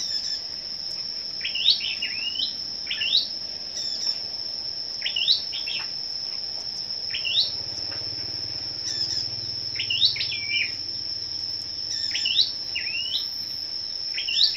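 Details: Scarlet-backed flowerpecker at a morning songbird gathering and singing contest, 10 May, gives short, high, twisting chip-and-slur phrases every one to two seconds over a steady, shrill insect drone.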